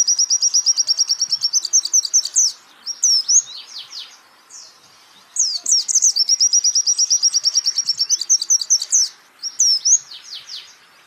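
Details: Champion white-eye used as a training recording for other songbirds, tutoring the trembling 'geter' style: two bouts of very high, rapid, evenly pulsed trilling, each running into sweeping twitters, separated by a short quiet gap.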